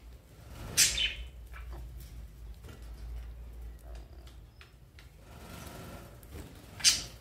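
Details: Two pet rainbow lorikeets fighting indoors: two short, harsh, high shrieks burst out near the start and again at the end, with quieter scuffling and rustling between them.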